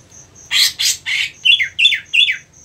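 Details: Greater green leafbird (cucak ijo) in a contest-preparation setting: three loud scratchy squawks followed by three sliding descending chirps, while a soft evenly spaced ticking runs throughout.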